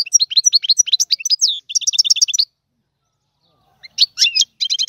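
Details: Goldfinch singing in the tiwawati manner: an energetic stream of quick twittering notes and rapid paired chirps. It breaks off into silence, then resumes with twisting phrases and repeated notes.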